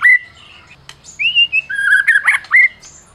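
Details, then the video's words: Champion Medan white-rumped shama song used to goad other shamas into singing: a high whistled opening, a rising slurred note, then flat mid-pitched whistles broken by sharp chips and a quick upslurred ending. "Masteran Murai Batu Medan Berprestasi !! Murai juara,, cocok pancing murai lain yg bisu"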